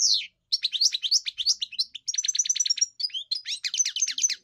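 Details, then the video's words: A kept European goldfinch sings in a song-training context: a fast rolling twitter that breaks into a run of evenly repeated clipped notes, followed by more tinkling chatter, with a faint low hum in places. "Enjoy the experience of the elegant singer GOLDFINCH"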